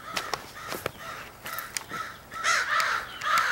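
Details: Many crows from a big extended family group, possibly pairing up, give scattered harsh caws that swell into a dense overlapping chorus in the final second.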